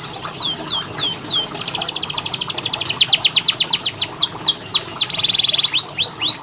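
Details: Training song for reluctant canaries: falling whistled notes lead into a fast rattling trill of slurred sweeps, then a brief buzzy burst and rising chirps.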